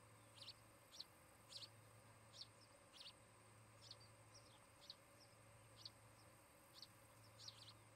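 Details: Nest-camera recording of an osprey pair at their nest in Charlo, Montana, 17 August 2018; rapid series of high, sharp chirped calls, around a dozen in eight seconds, some doubled, with faint background hum.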